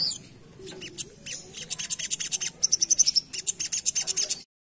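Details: Asian pied starling lure song starting quietly, then building into a quick series of scratchy high notes and a short row of clear whistled pips before ending abruptly.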